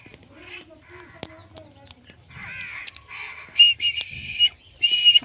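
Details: Indian ringneck parrot giving harsh, grating screeches around the middle and end, the last ones carrying a thin whistled tone, after softer chattering and clicks at the start.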